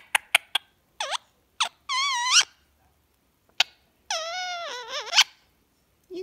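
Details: Ricco, a pet Indian Ringneck parakeet being tickled, gives a quick run of sharp kissing smacks, then longer rising and falling warbling, voice-like sounds, with a person speaking softly between them.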